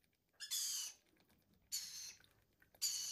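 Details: Hand-fed lorikeet chicks give three raspy, hissing bursts, each under half a second, separated by short gaps, with faint room noise between.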